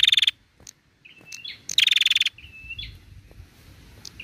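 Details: Female prinia, used to encourage other prinias to call. Opens with the tail of a rapid ticking trill. Whistles and soft chips follow, then a second trill and more thin whistles.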